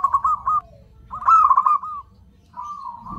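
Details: Zebra dove lure call meant to draw in other zebra doves: three rolling, rapidly pulsed cooing phrases at a steady mid pitch, each about half a second to a second long, separated by brief pauses.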